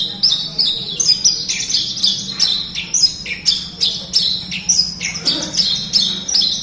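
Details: Loud, rapid Horsfield's bush lark song in a tutor recording for quiet birds: bursts of sharp high chirps and slurred notes in pulsing phrases, over a faint low hum.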